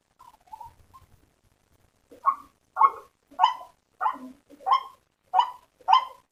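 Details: White-breasted waterhen lure call for attracting waterhens: after faint scattered notes, harsh croaking notes begin and repeat about every half second, each a loud rasping bark with rich overtones.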